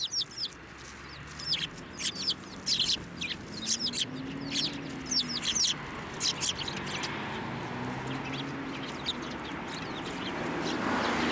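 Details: Sparrows flying onto an outstretched hand for food at a Tenmangu shrine on 9 December 2023; many short, high chirps in quick irregular bursts, with a low steady hum beneath.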